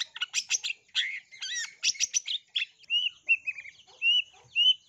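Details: Long-tailed shrike lure song meant to set other shrikes singing, rich in sparrow-like bursts; harsh chattering notes give way to a series of clear, short whistled slurs.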